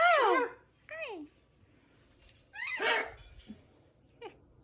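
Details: Blue pet parrot in a house, playing with a person, opening with a loud falling squawk, then a short curved call, a harsh burst near the middle and a faint final chirp, with room quiet between.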